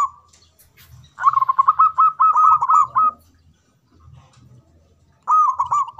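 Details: Loud song of a local zebra dove in manggung style: a fast, bubbling series of rolled coos lasting about two seconds, silence, then another rolling phrase begins near the end.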